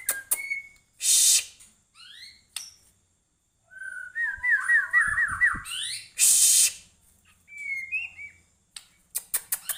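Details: Competition-ready White-rumped shama singing strongly: clear whistles and a run of rapid warbled, zigzag notes, broken by loud harsh hissing bursts, ending in quick clicks.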